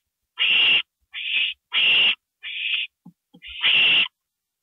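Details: Owl calling at 2:05 AM, April 27, 2012, as a gopher is brought in; loud breathy screeches trade off with shorter, tighter rasping notes, about five calls in all, plus faint clicks.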